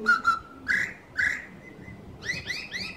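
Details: Laughingthrush song played to a primary school class as an example of a fine songster: clear whistled notes, a few short slurred phrases, then a burst of higher, rising whistles near the end.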